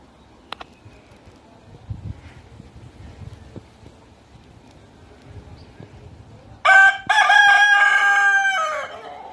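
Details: Rooster at a natural history museum in Deokso crowing once after a quiet stretch of faint background noise and a few clicks; the loud, harsh crow has a short break, then a long sustained note fading out over about three seconds.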